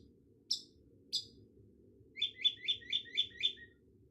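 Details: Cendet, the long-tailed shrike, gives two sharp isolated high notes, then a quick string of six similar down-slurred whistles, evenly spaced and fading at the close.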